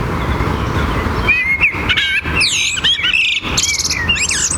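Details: A Eurasian blackbird sings at dawn in Madrid's Royal Botanical Garden, mellow fluted warbling phrases ending in thin, squeaky high twitters, over a constant low roar of traffic from the Paseo del Prado.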